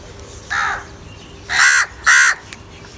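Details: Crows in anger and calling for food: three harsh, nasal caws, the first softer, the next two loud and drawn out, spaced about half a second apart, with light background hiss.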